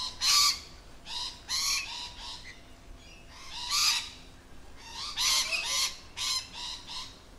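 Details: Lorikeets in their natural habitat giving harsh, raspy screeches in short separate bursts, some doubled, with quiet gaps between them.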